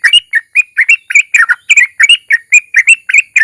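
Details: Sooty-headed bulbul song, trucukan ropel style used to encourage other bulbuls to sing: rapid chattering of bubbly whistled double notes in a fast, lively stream.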